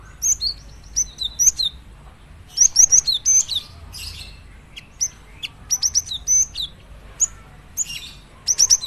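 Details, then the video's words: Java sparrow singing a rapid series of high, sharp clicks mixed with clear ringing whistled notes, in uneven bursts separated by brief gaps, over a soft low background hum. "gelatik batu lain langsung gacor dengar suara ini"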